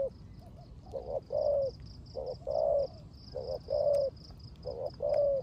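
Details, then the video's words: Spotted dove kept as a decoy, cooing in 'rước gù' style during rain; deep, soft, rounded coos in groups of two or three, the longer notes steady and held, over a thin high repeated ticking and low rumble. "Cu Gáy || sở hữu mồi RƯỚC GÙ trong mưa"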